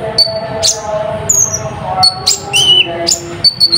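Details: Natuna olive-backed sunbird in a mimicry-filled song used to excite other birds: thin high whistles, some steady and some falling, broken by sharp clicks, with a brief lower wavering whistle near the end.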